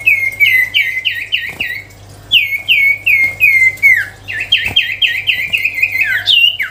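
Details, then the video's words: Energetic sirtu cipow songbird pouring out repeated bright whistles, each note curving down in a quick, even rhythm of about three per second, with a short pause and a final higher flourish. "siulan merdu burung sirtu cipow gacor"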